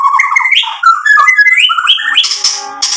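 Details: Fast white-rumped shama song used to stir up rival birds: rapidly changing whistled and warbled notes stepping up and down, ending in harsher, noisier chatter.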